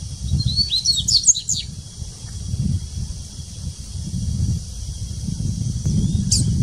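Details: Dubois's seedeater at the Sao Paulo Botanical Garden, Brazil, recorded 6 January 2019: one brief burst of high, fast, jumbled twittering notes near the start, a single high note near the end, steady low rumble of background noise throughout.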